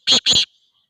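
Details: Black francolin (kala teetar) giving two loud, harsh, grating notes in quick succession, each broad and raspy, followed by quiet.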